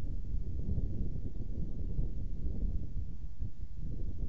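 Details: Muffled rumble of wind on the microphone, with no animal sound heard.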